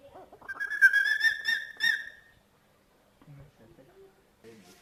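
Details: An eagle at night giving a strange, chilling call: a loud, harmonic, rapidly pulsed cry rising then levelling for about two seconds, followed by silence and soft low warbling notes.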